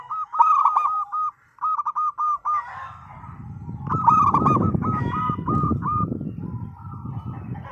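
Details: Local zebra dove singing as a lure for other doves; clusters of short hollow coos repeat in quick groups, while a low rumbling noise rises and covers the background in the second half.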